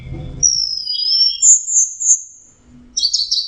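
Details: Orange-headed thrush song: long, clear, sustained whistles drifting slightly up and down, a pause, then a burst of rapid, jumbled high notes. A faint low rumble sits underneath.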